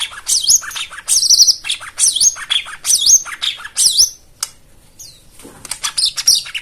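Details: White-eye song used as therapy to prompt silent or non-singing white-eyes to sing: rapid, varied high chirps and twittering phrases with sharp downward and V-shaped notes, in bursts with short pauses.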